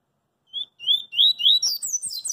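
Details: Double-collared seedeater singing a coringa-style song in the street: three slurred, rising whistles that lengthen and grow louder, then a quick run of high, twisting, chattering notes climbing toward the top, with faint low street noise beneath.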